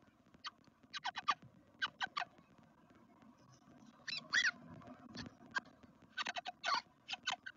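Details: Garden nest of black redstarts in Veszprém, Hungary, day two: bursts of high, scratchy squeaks in groups of two to four, with one longer rising-and-falling note midway, separated by short quiet gaps over a soft steady hum.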